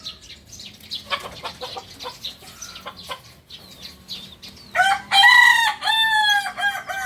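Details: Small birds twitter and clucks tick along before a kukuak balenggek rooster, a singing chicken from Solok, West Sumatra, breaks into a loud multi-note stepped crow.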